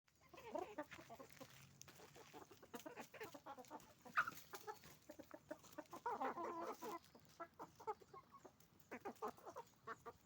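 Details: Roosters and hens on a chicken farm making noise: dense overlapping clucks and short squawks from many birds, rapid bursts throughout with a louder harsh squawk near the middle.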